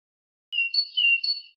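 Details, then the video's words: Red-whiskered bulbul: a single clear, whistled phrase of about one second, fairly level in pitch with slight wavers, after a moment of silence. "Most beautiful voice of Bulbul bird"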